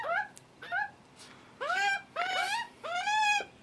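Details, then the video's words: Juvenile Australian magpies begging for food on their first visit with their nervous father; short scratchy squawks, then longer loud harsh screeches in overlapping pairs over under four seconds. "screaming hungry juvenile Magpies"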